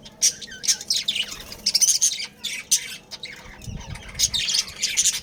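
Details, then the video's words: Budgerigar breeding pair and family in a colony: dense, buzzy high chirps and scratchy squawks in quick overlapping bursts, with a brief low thump midway. "Budgies Breeding Pair | Budgies Family"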